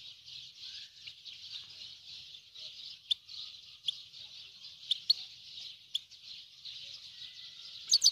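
A grey-headed goldfinch sings a fast, unbroken stream of high, tinkling twitters.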